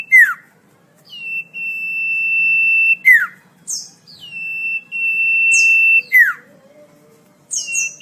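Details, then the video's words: Common iora's melodious song, for teaching caged songbirds: downward slurs and long, flat, high whistles alternate, with short scratchy high notes between phrases, repeated about every three seconds. "Suara merdu burung cipoh/sirtu/sirfu"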